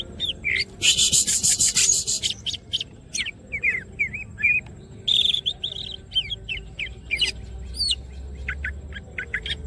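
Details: Greater green leafbird in full song, wings open: a harsh, noisy burst at the start, then a rapid string of short looping whistles and high chips, a second rasping burst, and more scattered whistled notes.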